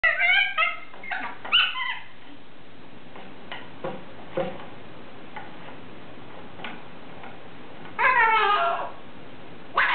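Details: Pet cockatoo kept indoors in a small room, imitating a dog's squeaky toy: bursts of squeaky, harmonic whining notes in the first two seconds, then near quiet with faint clicks, and another squeaky burst near the end.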